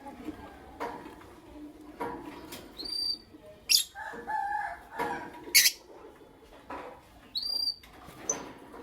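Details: Creamino and Lutino Opaline lovebirds in the morning giving sharp, shrill chirps in short bright bursts every second or two, with softer lower chattering and faint background noise between calls.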